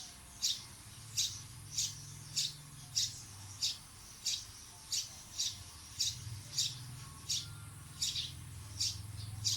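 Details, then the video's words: A bird gives short, high sharp chirps repeated steadily about every 0.6 seconds over a continuous low rumbling hum. "Birds Chirping Sound"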